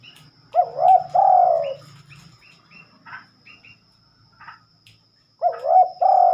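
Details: Spotted dove singing at night, which is rare for this bird: two soft, low cooing phrases, each a wavering hooked note and then a longer slurred coo, about five seconds apart. Faint short chirps and a low hum lie beneath.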